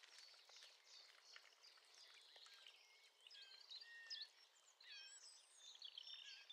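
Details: Singing male Eurasian blackcap at about 30 metres, captured through a kitchen window: a quiet scratchy subsong opening builds into loud, varied, flute-like whistled phrases with quick up-and-down slurs.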